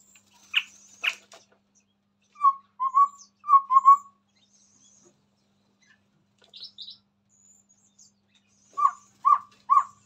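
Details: Chestnut-rumped babbler near a phone: sharp clicks, then pairs of short low whistles, high twitters, and a closing burst of three quick whistled notes.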